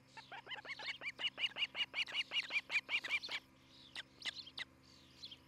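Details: Osprey at a nest near Charlo, Montana, on 11 July 2018 in the morning: a rapid run of sharp, whistled chirps repeated about three per second, growing louder then breaking off, followed by a few scattered higher notes.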